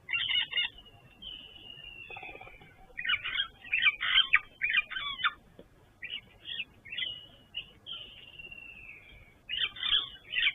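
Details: At a King's Camp waterhole on 1 December 2023, where impala with a lamb are drinking, a Woodland Kingfisher gives loud, high calls sliding into a fading trill, twice in ten seconds, amid busy chatter of other birds.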